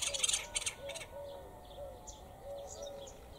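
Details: Noisy wild bird filmed at Jericho, Palestine: a burst of high, scratchy chattering at the start, then low, slurred whistled notes repeated about every half second, with faint distant chirps above.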